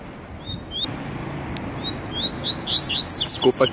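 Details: Pet male coleiro (Double-collared Seedeater) during its first test: a few isolated high whistles, then a quickening phrase of bright slurred chirps, with a short burst of a man's voice near the end.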